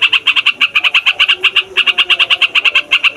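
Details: Yellow-vented bulbul singing loudly in a long rolling chatter, used as a lure for trapping wild birds: bright, clipped notes fired about three per second in an unbroken, stuttering run.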